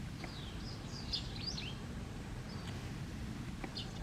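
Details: White wagtails in autumn give sharp, slurred chirping calls during an unresolved territorial dispute, a male threatening and chasing another bird, over a steady low rumble.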